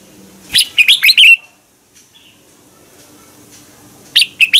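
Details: Lure song of a red-whiskered bulbul singing in the morning. One full phrase of five snappy warbled notes is followed by a long pause, then the start of another phrase.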